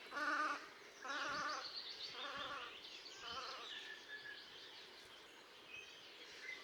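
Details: Velvet scoters at Liepāja, Latvia, in March 2024: two strong nasal, quavering calls, then fainter repeats fading into a busy background of high twittering bird notes.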